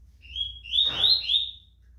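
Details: Rusty-collared seedeater, a caged contest bird prepared for tournaments and praised as quick and vigorous, gives one short burst of high, slurred, chirping notes rising then falling, over faint indoor hum.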